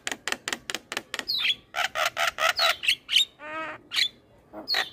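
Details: Master song of a black-winged starling used to train young birds: a rapid series of harsh broadband squawks, then whistled slurs and a buzzy rasping note, all loud and close.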